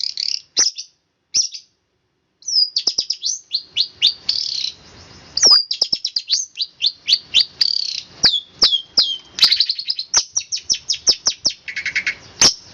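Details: Long-tailed shrike in a fast rolling song: after a brief pause, dense runs of high slurred and buzzy notes, some rising and falling whistles, delivered in quick succession with faint background noise.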